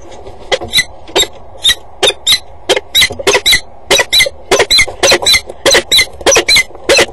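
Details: Female peregrine falcon perched on the gutter edge of a water tower at 07:32 in September, calling before flying off in an arc behind the tower; loud harsh rasping notes repeated in quick irregular series, over ninety per minute.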